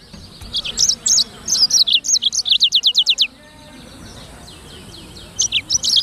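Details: A Black-throated canary (sanger) sings a varied phrase of bright high notes that settles into a rapid, evenly spaced string of downward sweeps, followed by a quiet stretch and a few more high falling notes at the end.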